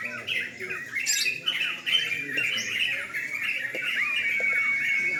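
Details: Night singing contest of yellow-vented bulbuls: loud, scratchy chattering and liquid warbles from multiple birds at once, a sharp high squeak near the start and a sustained whistled tone toward the end.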